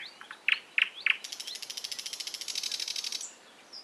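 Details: Bird song opening with three loud, clipped notes, then a long rapid trill of evenly spaced high pulses lasting about two seconds, and ending with a faint slurred note in a quiet setting.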